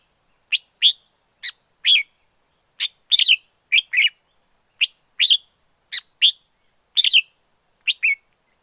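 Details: Red-whiskered bulbul in the wild pouring out a continuous string of paired, bright whistled notes, nearly evenly spaced, each pair a short note followed by a fuller slurred one.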